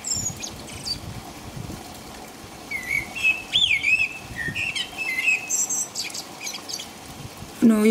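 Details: Common blackbird singing in rain at about 5 a.m. in England: a rich, wandering, whistled phrase rising and falling, then a high scratchy twitter, over soft rain noise and a low thump at the end.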